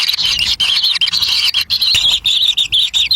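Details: Young kingfishers begging at their nest for a black lizard brought by the parent, Indonesia: rapid chains of high, buzzy squeaks and wavering whines, clipped by frequent short pauses.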